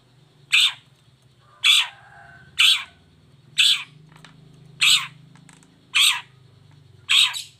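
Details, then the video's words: Long-tailed shrike lure sound for prompting sluggish or moulting birds to sing: seven harsh, scratchy, rasping notes repeated roughly once a second, each brief and loud, over a soft low hum. "Cendet Gacor Buka Krodong Pancingan Khusus Buat Cendet Loyo Malas Atau Lagi Mabung Agar tetap Bunyi"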